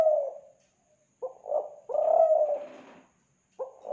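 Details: Lure recording of a spotted dove from Kelantan: soft broken coos building into a loud drawn-out coo, with a brief rustling noise behind the long note and a new phrase starting at the end.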